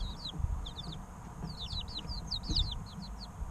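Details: Chirping from a group of three-week-old chicks, recorded to encourage incubator hatching: quick high peeps, each sliding downward, come in bursts and overlap over a low background rumble.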